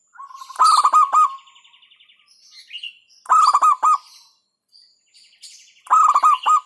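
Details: Zebra dove of a local strain giving its hentakan song meant to rile opponents; three quick-fire bursts of clipped, throaty coo notes spaced roughly every two and a half seconds, faint higher chirps between.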